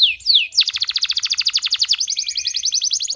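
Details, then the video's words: Male canary in fiery song to instruct young canaries and excite hens: two falling whistles lead into a very rapid, dense trill of sharp notes that steadies into a slightly slower rolling trill. "اقوى تغريد ذكر كناري حامي نار 🔥 ولا اروع للتسميع صغار الكناري وتهيج الاناث"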